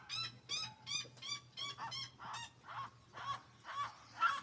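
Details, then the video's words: Seriemas give loud, harsh yelping notes, about two a second, rising and falling in a ringing series, over a low steady hum. "As Seriemas fazendo barulho"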